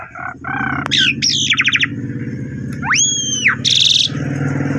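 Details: Pied myna song, a lure played to coax mynas that have stopped singing: whistled rising-and-falling arcs, buzzy stacked bursts and rapid rattling notes over a steady low droning hum.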